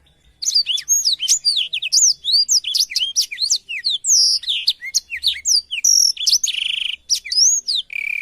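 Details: Black-throated canary tutor song for canaries: energetic, nonstop high twittering of slurred whistles and sharp chips, ending in a harsh buzzy note and low descending whistles.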